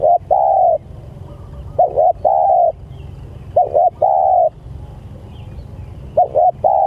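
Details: Cooing of a spotted dove calling to companions: four rhythmic phrases, each a quick double note leading into a long steady coo, spaced about two seconds apart, with faint low background noise.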